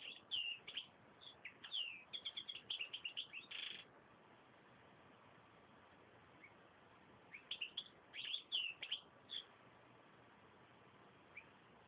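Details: Singing European goldfinch delivering rapid runs of tinkling, twittered notes and short slurred chirps for about four seconds, a long pause, then another lively burst; the recording sounds muffled, with constant low hiss.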